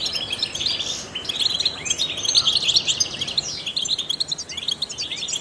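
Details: Trained goldfinch in full song meant to stimulate other songbirds: fast high twittering with buzzy trills and slurred upward whistles, continuous throughout.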